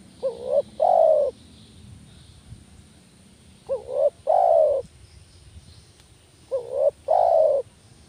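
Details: Spotted dove call used to lure doves: three phrases, each a short soft coo followed by a longer, louder hollow coo, about every three seconds, over faint rural background noise.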